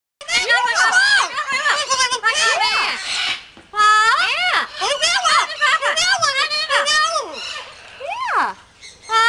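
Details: Several Yellow-naped amazon parrots talking: humanlike words with tonal, sharply rising and falling syllables in two long bursts split by a short pause, closing with a drawn-out descending phrase.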